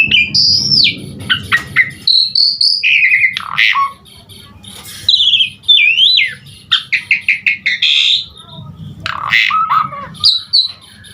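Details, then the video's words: Asian pied starling full song meant to stimulate other starlings: varied rising and falling whistles mixed with harsh buzzy notes and quick chip series, with a low hum underneath at the start. "Suara Jalak Suren GACOR Full Isian Buat Pancingan Segala Jenis Burung Jalak Agar Cepat GACOR"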